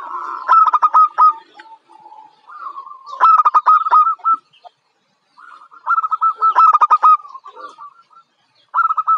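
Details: Young local zebra dove, said to be bold enough for contests. Loud bursts of fast, throaty, pulsed notes are separated by softer, rolling phrases and short pauses.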